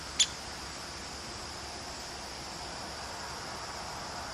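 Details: Female downy woodpecker, bold and calling often, flying toward the recorder and landing nearby; a single sharp, high 'pik' note sounds right at the start, followed by a steady high-pitched hiss of background noise with no further calls.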